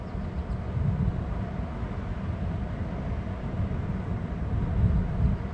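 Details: A heavy low-pitched rumble of wind or passing vehicles that swells and fades, with no calls.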